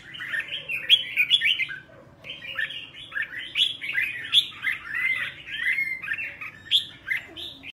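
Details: Red-whiskered bulbul morning song, played to train a bird to sing double notes in a mature wild style: a continuous run of bright, warbled whistled phrases, rising and falling, with a faint low hum underneath.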